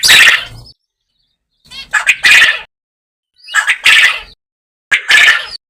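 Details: Natural recording of a farm quail giving four harsh, buzzy call bursts roughly every one and a half seconds, each a tight cluster of two or three rasping pulses, separated by silence.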